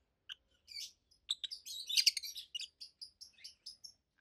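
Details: Two adult rosy-faced lovebirds, a red-headed green opaline and a white-headed pallid aqua opaline, kept as pets, give loud, high, treble chirps in rapid irregular bursts, clustering densely around the middle of the recording.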